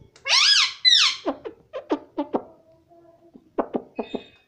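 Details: Pet parrot talking, said to say "mummy": two loud nasal harmonic syllables, then a string of quick downward clicks in irregular bursts.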